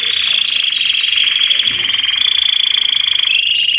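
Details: Belgian canaries chorusing to encourage other canaries, notably young or post-moult birds, to sing; one steady high rolling trill dominates, with faint rapid chatter and brief slurs beneath.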